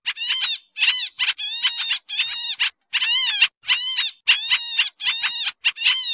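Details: Noisy Pied triller lure recording for bird trapping: a steady run of harsh, buzzy, harmonic notes, many arching up then down, packed into short bursts about every half second over a quiet background.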